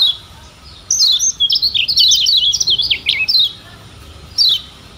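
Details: Lemon-bellied white-eye, known locally as kecial kuning Lombok, singing as a tutor recording for training birds: a rapid chattering run of high, sharp twittering notes lasting about two and a half seconds, followed by a brief single chirp.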